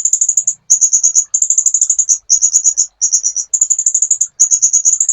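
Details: Sunbird song from a training master recording: a steady string of quick, high, ticking trills in phrases of about half a second, about one each second.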